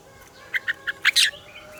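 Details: Red-whiskered bulbul singing in the morning, described as a double-note style: three evenly spaced clear chirps followed by a quick, louder, tumbling flourish of notes, all within about a second.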